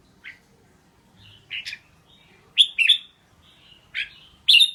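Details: Red-whiskered bulbul song: short, bright, slurred chirps and warbled notes in separate bursts with pauses between, louder toward the end, some notes rich and ringing; faint low hum in the background.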